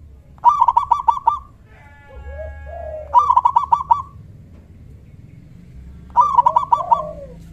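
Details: Local zebra dove with a deep, loud voice, calling to provoke answers from other doves: three phrases of quick rolling cooing notes about three seconds apart, with softer lower sliding calls heard between and after them.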